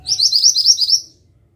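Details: Mantenan bird song recorded as a training track for songbirds: a fast run of about six high, sharp chirps with rising slurs, all near the same pitch, lasting about one second, with a faint low hum underneath.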